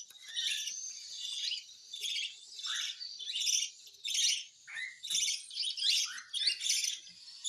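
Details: During hand-feeding a cockatiel begs with steady pulsing rasps, roughly one or two a second, high and scratchy, with a few short rising chirps.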